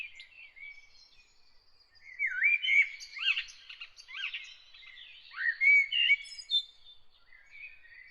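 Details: Unidentified bird singing early in the morning, a loose series of whistled, warbling phrases with rising and falling notes, quiet at first then louder bursts, with faint higher twitters behind; no other sounds stand out.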